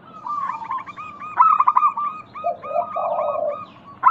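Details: Zebra dove of local stock singing as a lure to stir quiet doves into calling; a fast clipped series of notes leads into a low rolling coo near the end, with other birds twittering behind.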